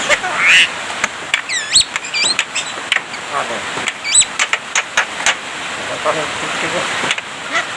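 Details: Javan myna in full song, mimicking human speech and coughing: sharp whistled upward sweeps and chattering notes interspersed with harsh clicks and bursts, busy varied delivery.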